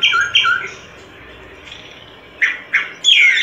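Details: Solitary cacique singing: loud, harsh squawking notes with rich overtones, two quick bursts at the start, then a quiet pause before three more rasping calls near the end.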